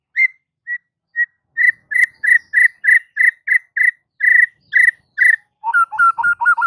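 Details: Lure song of a White-rumped shama meant to set other shamas singing: a steady run of short, clipped whistled notes on one pitch, about two or three per second, closing with lower, quicker warbled phrases.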